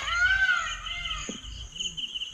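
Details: Peafowl calling on a village farm with paddy, vegetables and fruit: a peacock gives a loud, nasal wailing cry that rises and falls, over a steady insect drone.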